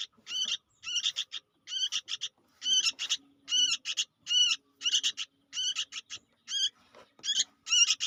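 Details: Young sooty-headed bulbul calling loudly and persistently: high, buzzy, ringing notes in tight bursts of two to four, repeated roughly every half second to second, over near silence.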